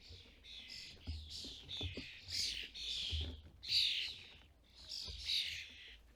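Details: European starlings at a UK feeder in fledgling season, adults feeding fledglings; loud, rasping, wheezy calls come in clustered bursts roughly every second, some rising into sharp squeaks, over light knocking sounds.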